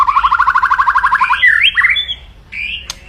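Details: White-rumped shama, an aggressive singer, its crackling song meant to provoke rivals: a fast run of repeated harsh rattling notes, about three per second, then slurred whistled phrases and a sharp click near the end.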